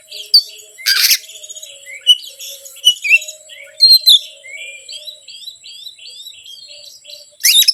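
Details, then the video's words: Lure song of an Oriental magpie-robin to provoke birds that are hard to excite; after an early harsh burst comes a run of short, evenly repeated whistled notes, ending in another scratchy blast, over a faint low tone. "PANCINGAN BURUNG KACER YANG SUSAH PANAS 99%EMOSI"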